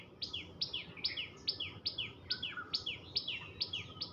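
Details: Persistent tailorbird chatter, repeated roughly twice a second: crisp high notes each trailing into a descending sweep, with a softer second bird's note briefly audible in the middle.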